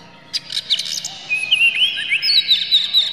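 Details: Oriental magpie-robin singing as a lure to trigger other magpie-robins: a short burst of scratchy notes, then drawn-out rising and falling whistled phrases holding high and clear to the end.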